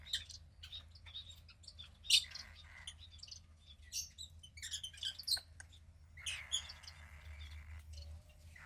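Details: Gray female cockatiel chick about 15 days old, second hatch of a pied pair; scattered clicks and high chirps, then a longer raspy hissing call near the end, over a faint low hum.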